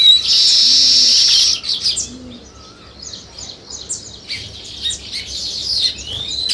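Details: A loud burst of sparrow chirping opens as a thick, busy chatter. It thins to scattered high chirps and twitters, with two soft low hoots early on.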